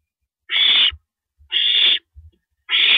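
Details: Female owl at night, 1:27 AM on April 9, 2012, eating a rabbit. Three harsh, hissing screech-like bursts, each about half a second long and roughly a second apart, with soft low thumps between them.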